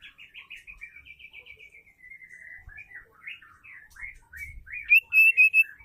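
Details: Female white-rumped shama (murai batu) call meant to make male shamas sing: a fast series of short chattering notes, then a varied twittering phrase, ending in four loud, ringing whistles.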